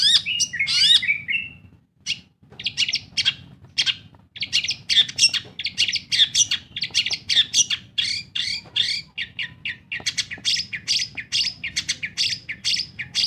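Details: Long-tailed shrike in lively full song, used as a lure to get silent birds singing: dense run of sharp, scratchy chattering notes, high and fast, after a brief opening burst and pause.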